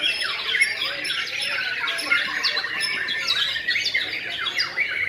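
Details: White-rumped shama in the "sujud" style, singing a dense, continuous stream of rapid sweeping whistles and chattering notes, mostly high-pitched, with many quick up-and-down slurred phrases and no pauses.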